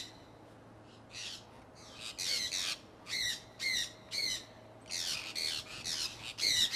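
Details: Early spring 2003 in Iowa: a flock of pet conures out flying. After a second of quiet, a string of harsh, screechy squawks follows in steady bursts, growing louder toward the end.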